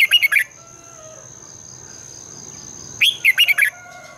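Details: Red-whiskered bulbul morning singing used to stimulate birds: a brief burst of four chirpy notes, a pause of nearly three seconds, then a lively five-note warbled phrase over a steady high tone.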